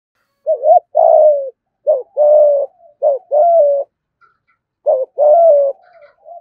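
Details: Caged spotted dove cooing in the thúc gù style: a short rising note then a longer, slightly falling coo, the pair repeated three times with brief silent gaps.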